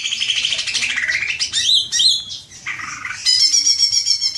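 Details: Greater green leafbird in a 'ngekek' lure recording: varied, high chatter mixing fast buzzy trills, a couple of sweeping whistled slurs, lower scratchy notes, then a rapid, ringing trill to the close.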